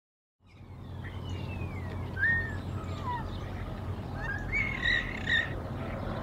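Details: Bald eagles at a Decorah nest early in the morning: the mother flies in, faces the male beak to beak and shows dominance. Thin whistled notes, a descending slur and short high chirps stand out over a steady low rumble.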